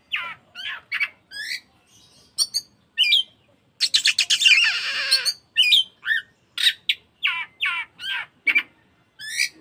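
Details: Lure recording of an Oriental magpie-robin, used to make caged birds sing eagerly and open their tails. Rapid varied phrases of sharp sweeping whistles and chips, broken midway by a long harsh, buzzy rasp, then more quick whistled notes.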